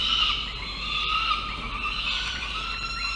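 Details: Peregrine falcon nestlings about five weeks old at a nest watched by camera in November, giving a drawn-out, strained, wailing call with layered harmonics that holds steady for several seconds over a faint background hiss.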